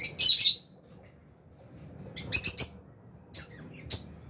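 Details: Albino and Fisher's lovebirds in an aviary give sharp, high chirps: a quick triple burst at the start, a dense cluster of four near two and a half seconds, then two single chirps, with quiet pauses between.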